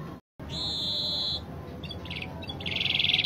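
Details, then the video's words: Spanish Timbrado canary with clear voice: a steady sustained metallic trill after a brief dropout, followed by soft scattered notes and a louder pulsing rolling trill at the end. "Kenari spanish timbrado gacor irama mewah ala spanyol"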